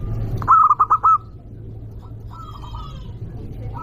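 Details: Local zebra dove with a strong voice, calling to rile rivals: one crisp phrase of five rapid hooting coos, then quieter faint notes and steady low hum.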